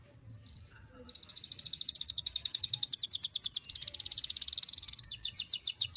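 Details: Canary singing at length in one breath, meant to tutor young canaries: a few faint high notes, then a fast, even rattling trill running several seconds before a slightly lower rapid trill, with background hiss.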